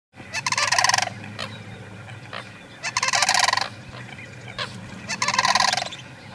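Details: A trio of sandhill cranes at Gray Lodge Wildlife Area, Butte County, give three loud, rolling, rattling trumpet bursts about two seconds apart, with shorter calls between, over a low background rumble.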